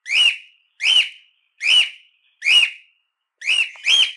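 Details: Cockatiel (Nymphicus hollandicus) piping and calling, for training cockatiels: shrill rising-then-falling screeches repeated roughly every 0.8 seconds, the last two run close together, clean background.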